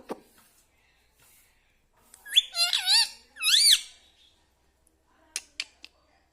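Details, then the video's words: Talking pet parrot saying words such as mummy and papa; a brief cluster of three or four looping, harmonic squeaky notes in the middle, with quiet gaps and a few sharp ticks afterward. "parrot talking mummy ||papa bolne vala Mithu ||radhe vala Mithu"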